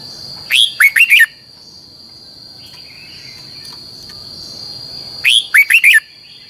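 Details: Red-whiskered bulbul singing a double, long twisting training song meant to teach other birds. Two bright whistled phrases, each of four quick slurred notes, about five seconds apart, with a steady high electronic whine and faint background hiss.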